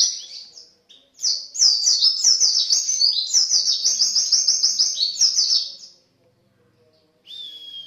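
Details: Lure song ('pancingan') of a white-eye singing 'gacor', energetic and full: a long, unbroken, high twittering warble of quick, repeated chirps lasting about four seconds, followed after a silence by a thin whistle.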